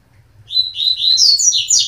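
A Double-collared Seedeater sings a quick, high run of sweet, slurred notes that climbs in pitch over about a second and a half, over a faint low hum.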